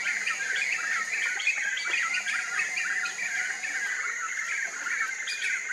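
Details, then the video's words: A flock of Black-fronted Nunbirds in a morning chorus, singing a lot: a dense overlapping stream of mid-pitched chattering, purring notes, with a steady high insect whine throughout. "MORNING CHORUS - BLACK-FRONTED NUNBIRDS!!! CANTORIA DA MANHÃ: CHORA-CHUVA, CANTANDO MUITO!!!"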